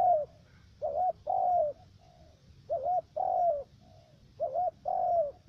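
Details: Spotted dove used as a decoy for trapping in the U Minh area of Cà Mau, Vietnam, giving a three-note voice: a short hooked coo, then a long slurred falling coo, the pair repeated three times.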